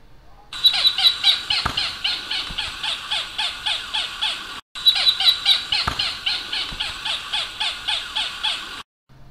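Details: Bicolored Hawk in the caatinga giving a long, laughing series of sharp, nasal notes, about five a second; the series runs twice with a brief break between.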